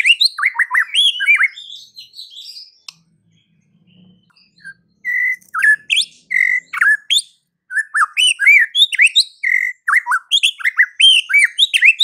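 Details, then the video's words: White-rumped shama (murai batu) singing, used to provoke other shamas into fighting and singing; rapid varied whistles, slurred notes and trills in bursts separated by a brief quiet pause, on a clean background. "dengan cepat murai batu bakal ngamuk dan narung GACOR setelah dengar kicau murai ini"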